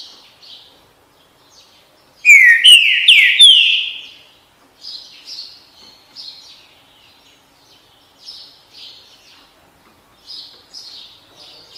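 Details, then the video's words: Green-winged saltator, "bom dia seu chico" song style: a brief burst of three strong, downward-sliding whistles, followed by repeated softer high chirps spread across the rest of the recording. "canto trinca ferro bom dia seu chico"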